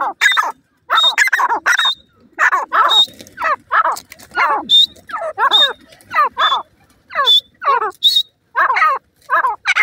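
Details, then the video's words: Grey francolin chicks give quick bursts of harsh, downward-sliding calls, about two each second, with thin, high whistled notes mixed in. "bhuray teetar k bachay,francolin birds babys"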